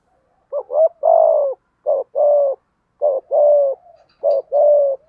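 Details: Rapid 'thúc gù' cooing from a spotted dove lure bird with the 'giọng thổ' voice, aimed at drawing wild doves: four close phrases about one second apart, each a short double note followed by a fuller throaty coo.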